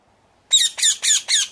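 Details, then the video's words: A rose-ringed parakeet gives four harsh, shrill screeches in quick succession, about three or four per second, after a brief silence. No other sounds are heard. "ring neck parrot calling song"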